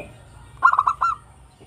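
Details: Local Zebra dove, a melodious and persistent singer used as a lure for other birds, giving a rapid stuttering run of five clipped cooing notes lasting about half a second, followed by quiet.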